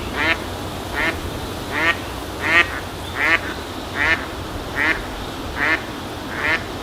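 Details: Eastern spot-billed duck uttering its ordinary contact calls, a series of nine raspy quacks spaced evenly about every 0.8 seconds, each brief and nasal, against a low steady ambient hum.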